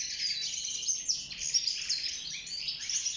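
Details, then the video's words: Goldfinch song from a caged wild bird during breeding and nest building, a continuous rapid jumble of high chirps, tinkling notes and scratchy buzzes. "روعة تغريد طائر الحسون البري (المقنين) داخل السلاكة"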